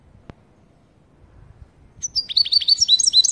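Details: European goldfinch giving a "pat-pat" call meant to excite another goldfinch: a quick run of bright, high, twittering notes, about four per second, after a second of near silence and a single click.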